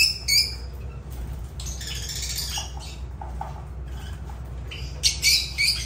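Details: Lovebirds (Agapornis) producing shrill squawks and fast twittering chatter, with a few softer lower notes in the middle and a loud burst of squeals near the end, over a low hum.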